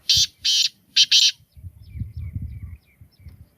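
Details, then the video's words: Loud, gritty call of a black francolin, kala teetar: two rasping notes, a brief gap, then a tight pair, followed by soft low rumbling and a faint distant whistle. "Beautiful voice of black francolin Kalay Teetar Ki Awaz Kalay Teetar Ki Boli Sindhi teetar ki awaz"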